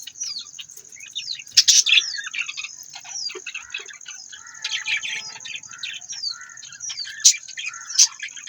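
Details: Budgerigars chattering: a busy mix of short chirps, falling whistles and scratchy warbles with a few loud sharp tweets, over a steady high-pitched whine.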